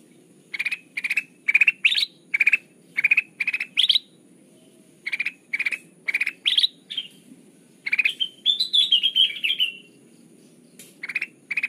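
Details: Bulbul (kutilang emas) singing for use as a trapping lure: a run of quick repeated chirp clusters, a short pause, then more phrases and a longer warbling, rising-and-falling trill before resuming.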